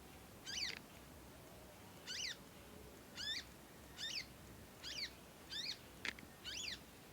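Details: A juvenile conin practising its voice with sustained nyecet chirping: eight evenly spaced, curved harmonic chirps, each a brief falling sweep, repeated about every 0.7 seconds against steady background hiss.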